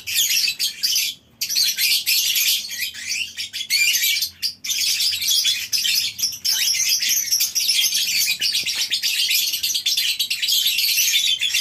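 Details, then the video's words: Colony-housed lovebirds on a breeding farm in the morning, a crowded, shrill chattering of overlapping high squeaks and chirps that runs nearly nonstop, broken by a brief silence early on. "Suara Love bird"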